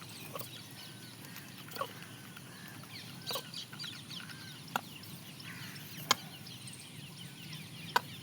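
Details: Peahen calling while eating: soft, short clucking notes spaced a second or more apart, with faint chirping of other small birds throughout.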